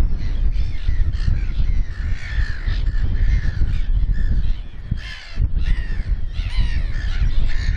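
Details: Black-headed gulls at a breeding site with fluffy chicks, RSPB Snettisham, Norfolk, 29 May 2018: harsh, ragged squawking calls overlapping from several birds, with a brief lull near the fifth second, over heavy wind rumble.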